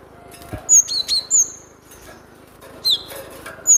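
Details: Cinereous tit song serving as a training lure for captive birds: a series of piercing high whistles, some slurred downward, in two bursts with a pause between, above a constant low droning hum.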